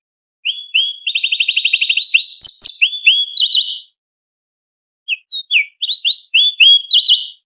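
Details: Sooty-headed bulbul tutor recording with sharp, varied fill-in phrases for training competition birds: a fast, even rattling trill breaks into slurred whistles, then after a pause a string of bright rising and falling whistled notes.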